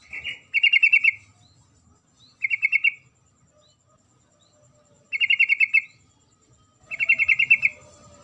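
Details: Female sooty-headed bulbul calling the male, four clean bursts of fast rattled notes about two seconds apart over a quiet background.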